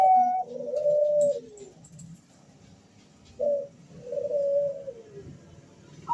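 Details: Zebra dove males answering each other in a room, giving soft, rolling, slightly falling cooing phrases separated by short gaps, with low background murmur.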